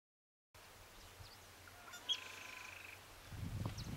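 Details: Scarlet-headed blackbird giving a single drawn-out, even whistle lasting about a second, with faint short chirps and low rustling behind it.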